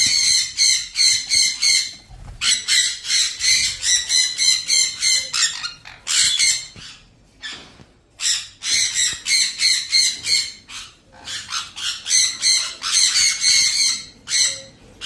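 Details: Ring-necked parrot calling loudly with harsh, grating squawks in fast runs of repeated notes, roughly three per second, broken by brief gaps over about fifteen seconds.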